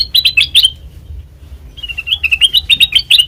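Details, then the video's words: Black-crested bulbul as a trapping lure: a short flurry of loud chirps, a brief pause, then a fast even string of sharp, slightly rising notes. "Suara Asli Kutilang Emas Pancingan Pikat Masteran"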